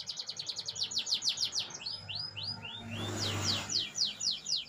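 A canary sings a fast, high, rolling song of quick trills and repeated chips, shifting note types every second or so, over a faint low hum.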